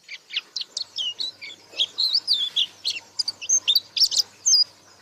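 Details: Continuous warbling from a white-eye in buka paruh style, tumbling high whistles and twitters, some slurred downward, packed closely for five seconds.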